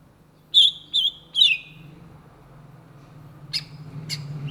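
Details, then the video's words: Greater green leafbird, called cucak ijo, singing: three bright high whistled notes in quick succession, the last sliding downward, then a pause and two sharp clicks, over a steady low hum. "SUARA BURUNG CUCAK IJO GACOR , TELER"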